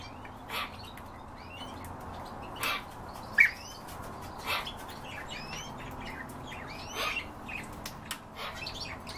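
European bee-eaters give short, rolling, liquid chirps, scattered and overlapping from several birds every second or so, over a steady hiss of background noise.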